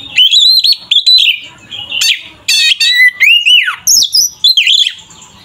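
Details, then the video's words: Oriental magpie-robin (kacer) in a loud fighting-style song used to provoke other magpie-robins: rich run of whistled, slurred and fluty notes with harsh squawky bursts, rising and falling phrases in rapid succession. "Suara burung Kacer GACOR ini sangat ampuh untuk menaikan emosi kacer"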